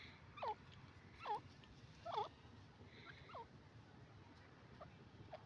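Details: Calls of a yellow francolin, known locally as teetar: soft curved notes that swoop down then up, repeated about every second and fading toward the end, over a quiet background hiss.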